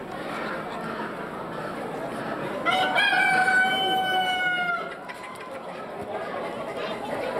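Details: Wild-coloured Araucana rooster crowing at the Fribourg cantonal poultry exhibition, Grangeneuve, Switzerland, January 2013: a long, level, strongly tonal crow of about two seconds that trails off at the end, above steady indoor hall noise.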